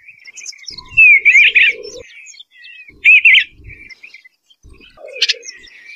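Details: An Eastern Bluebird sings two short, mellow warbled phrases about two seconds apart, each quickly wavering up and down, with soft chirps and faint low thumps between.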